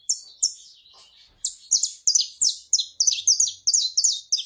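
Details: Song of a male saffron finch with a female calling: bright, high, downward-sweeping notes repeated almost three per second in an uneven but steady stream.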